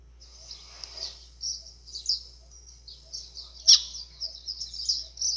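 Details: White-throated seedeater song in azulão style, played to excite birds; high, thin chirps and short twittering phrases come in irregular bursts, with one sharp loud note near the end over a faint low hum.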